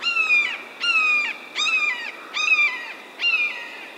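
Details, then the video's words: A Red-shouldered Hawk calls five loud, harsh, repeated key-ear notes, each slurring downward, spaced about every three-quarters of a second. "And they make a repeated key-ear, key-ear vocalization."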